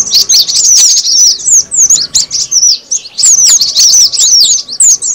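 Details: Cinereous tit lure call used to attract birds: dense, rapid, high chirps, many sharply descending, overlapping in continuous bursts with brief gaps, loud and bright throughout.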